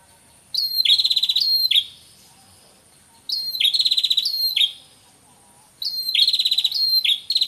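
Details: Male and female red-headed prenjak prinias calling together in the wild, used as a lure: three bursts of fast, high, buzzy ticking notes, each about a second long, every two to three seconds.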